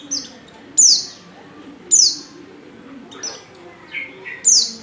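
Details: Oriental white-eye female giving a call used to prompt males to sing: bright, high notes dropping sharply in pitch, spaced one to two seconds apart, with a few softer mid-pitched chirps and faint background whistles.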